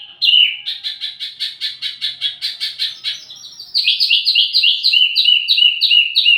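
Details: ['Wambi mini song meant as lure and master tutor for tledekan: first a fast buzzy, rattling series of repeated high notes, then a louder switch to quick, sharply falling chirps repeated several times a second.']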